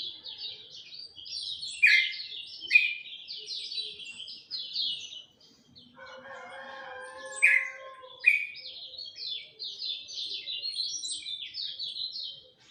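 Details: Lemon-bellied white-eye singing at dawn: rapid, high, twittering phrases of tumbling chirps, with a few louder downward-slurred notes; a rooster crows lower in the middle of the song.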